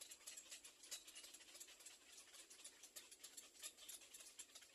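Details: Begging Little black cormorant young await their mother's feeding, producing a fast run of thin, rasping ticks, roughly four per second, high-pitched and continuous throughout.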